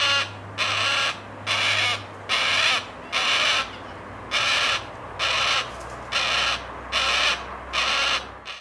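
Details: A juvenile yellow-tailed black cockatoo, perched at the edge of a vegetable garden while its parents feed at a seed tray, gives nine harsh, grating screeches at a steady pace of about one per second, over a low hum.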